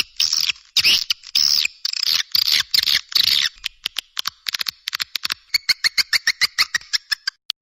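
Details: Swiftlet sounds used to call in swiftlets, beginning with loud buzzy twittering bursts, then shifting to fast, thin clicks and short, evenly repeated chirps.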